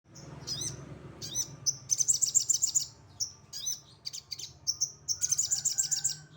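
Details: Bulak-type sogon singing in the rough 'tembakan kasar' style: high, sharp chirps and rapid buzzy trills in short bursts, with brief pauses between phrases and a low hum underneath.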